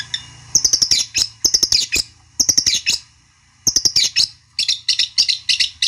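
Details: Long-tailed shrike singing to provoke a rival into answering: bursts of harsh, buzzy chattering notes high in pitch, delivered in clustered phrases separated by short pauses.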